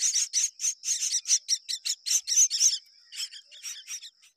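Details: Myna chicks in the nest, being fed by their mother, give rapid, harsh, buzzy begging calls, about four a second, high-pitched and insistent, fading into softer scratchy notes.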